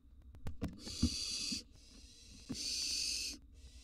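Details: Young wild barn owls at a nest box during feeding on a gerbil and a mouse give rasping, noisy hisses of under a second each, joined by thumps and scuffles inside the box.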